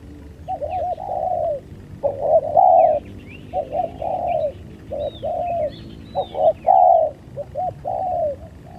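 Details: Spotted doves during a fight, recorded in 2023: low, hollow coos in short rolling phrases repeated roughly every second, some notes stressed and louder, with thin higher chirps of other small birds above.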